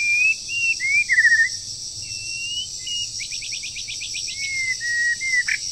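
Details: Wild bird in moult singing during the breeding season, being trained: whistled slurs and a buzzy trill, then a rapid series of about eight sharp upward strokes, followed by level whistles, under continuous high hiss.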